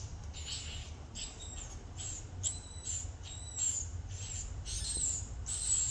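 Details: Swiftlet call sequence: rasping high chirps repeated somewhat irregularly, roughly eighty per minute, fairly soft over low background noise.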